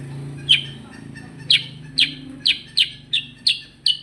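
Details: Sooty-headed bulbul, the kutilang sutra type, in 'gacor ngerol' nonstop singing: loud sharp downslurred chips, about two per second and speeding up, over a low steady hum.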